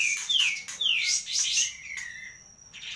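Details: Kapas tembak in Medan giving a few sweet, swooping whistles, rising and falling, then a lower fading note against a faint steady high tone.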